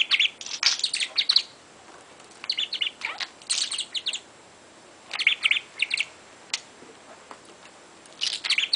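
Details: A 22-month-old pet parrot chatters during play: clusters of bright, squeaky chirps and talk-like notes come in bursts of about a second, separated by quiet gaps of one to two seconds.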